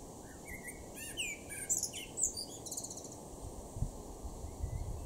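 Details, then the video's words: Male Common Blackbird in a garden at Norden, East Frisia, in Germany's far northwest, June 2023: rich fluted notes sliding downward, run into squeaky high twittering, repeated in quick bursts over soft background hiss. "blackbird (male)"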